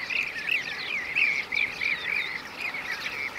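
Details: Blue-cheeked bee-eater, Şanlıurfa, Turkey, 2016. Short, rolling, burry notes repeat about three times a second, each briefly arching, over a soft murmur from other birds.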